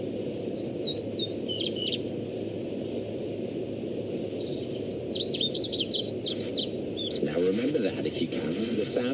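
A European pied flycatcher sings two brief bursts of high, quick, sweet notes that rise and fall, over a steady low hiss, and a voice begins near the end.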